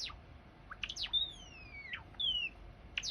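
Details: Java sparrow song meant to prompt a quiet bird to sing: a few falling chips, a long high whistle sliding down, a shorter second glide, then more sharp chips.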